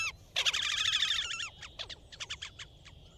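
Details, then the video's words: Horned grebe calling and singing in advertisement: a loud, nasal, fast harmonic trill lasting about a second, then a looser series of separate sharp notes fading out, over a soft low hum. "Horned grebe (Podiceps auritus) sound - call and song"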